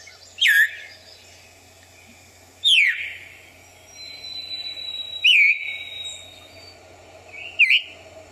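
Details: Veery in wet forest understory near streams in Pennsylvania giving its call: four sharp, slurred downward 'veer' notes spaced roughly two to three seconds apart, with faint background hiss between them.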